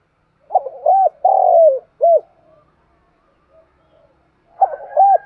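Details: Morning flock-calling by a spotted dove kept as a lure bird: a full soft cooing phrase of clipped and drawn-out hoots ending on a short note, a pause with faint murmurs, then the next phrase beginning.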